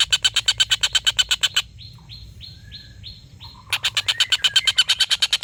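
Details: Collared kingfisher giving a long laughing call, used as a tutor recording for competition birds. A harsh, rapid kek series repeats about three times a second, pauses while a softer bird gives short whistled notes, then resumes.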